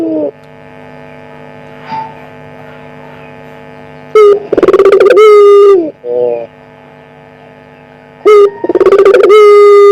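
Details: Lure call of a one-year-old pelung-type collared dove (burung puter): short low coos building into two loud, drawn-out hoarse coos about four seconds apart, over constant mains hum.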